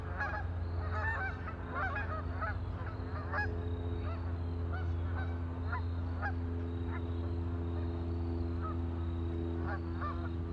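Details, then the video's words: Ducks on a lake calling with clustered, nasal honks that crowd the first few seconds and then thin to occasional single calls, set against a continuous low hum. "Ducks on a lake for relaxing sound"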